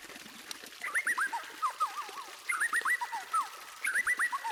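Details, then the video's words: Training song of a white-rumped shama, meant to prompt other birds to sing. Three bursts of quick slurred whistles, each dropping in pitch, come about every one and a half seconds over a soft background. "Masteran Burung Murai Batu Terbaik: Bikin Semua Burung Ikut Bunyi!"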